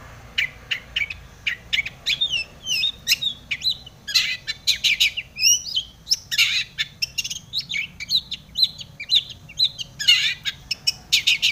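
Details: Long-tailed shrike in lively, richly varied song meant to excite other shrikes into singing: a dense, fast stream of chirps, twitters and short sweeping whistles with hardly a pause.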